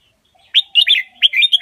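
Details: A loud, quick series of bright rolling warbles with a faint low whistle beneath, from the Indo double-style master song of a red-whiskered bulbul, played for young birds to copy.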